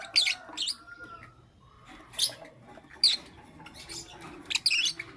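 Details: Lovebird heard in the morning with harsh, high-pitched chirp bursts repeated roughly every second, plus a thin short whistle between them, against a soft background.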